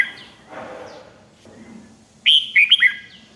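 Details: Red-whiskered bulbul in "rik" song style, used to rouse other birds: one short, loud phrase of three or four liquid, dropping whistled notes after a quiet stretch with soft background rustle.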